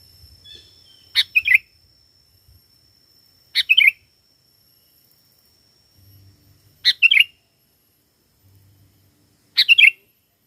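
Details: Sooty-headed bulbul, singing vigorously to lure wild bulbuls, repeats a short sharp, bubbly phrase four times at intervals of about two and a half to three seconds, with near silence between phrases.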